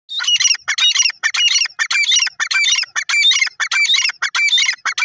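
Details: Grey francolin calling in the morning, loud harsh ringing phrases repeated rapidly, almost two per second, each a burst of grating high notes, in a steady unbroken series close to the recorder.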